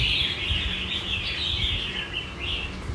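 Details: A caged Red-whiskered bulbul, filmed 15 July 2024, with a very loud bell-like voice, sings a loud, ringing run of bright whistled phrases, rising and falling, over a low background rumble.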